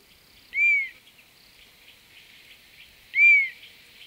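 European honey buzzard giving two clear, plaintive whistles, each arching up then down, about two and a half seconds apart, over a steady buzz of insects.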